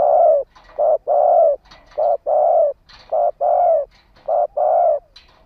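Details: Decoy spotted dove, a ground-kept lure bird calling to attract wild doves: steady low hollow cooing, short and long coos alternating in a regular rhythm, with faint higher chirps from other birds between phrases.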